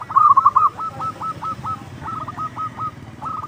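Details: Local zebra dove singing loudly, used as a lure to draw out other doves: a bright opening phrase followed by two runs of short, clipped, evenly spaced cooing notes at a steady mid pitch, with low background hum.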